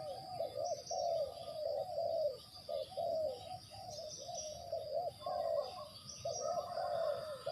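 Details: Decoy spotted dove used in trapping, giving a long series of soft low coos, short notes and sliding phrases run together over several seconds, amid steady hiss, insect whine and faint higher bird chirps.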